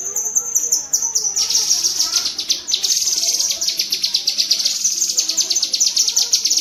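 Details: Cucak kinoi bulbul giving rapid tembakan chatter, a fast, dense burst of high, sharp repeated notes with brief pauses and shifts in pitch, used as master audio for training pet songbirds.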